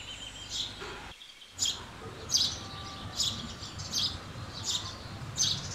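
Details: Several house sparrows chirp in quick, uneven bursts, the short high notes coming about every second against a soft steady hum.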